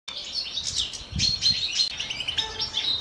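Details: Captive common chaffinches (Fringilla coelebs) in courtship and breeding condition, a pair sharing a male, twitter in quick, bright, high chirps and short trilled phrases running on without pause, with a few slurred notes.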